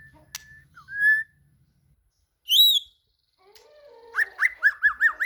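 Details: White-rumped shama (murai batu) singing while looking for a rival: a few separate clear whistled notes with silent gaps, then a fast run of rising-falling whistles repeated about five times.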